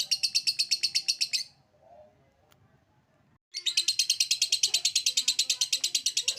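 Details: A lovebird's ngekek trill, meant to spur other lovebirds: a burst of rapid high chattering, about two seconds of near silence, then the rattling trill resumes strongly.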